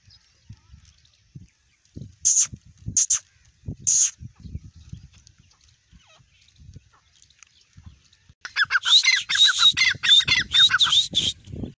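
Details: Grey francolin female and chicks: a few high thin peeps, a quiet stretch, then a dense burst of fast chattering, squeaky notes lasting about three seconds, over faint low rustling.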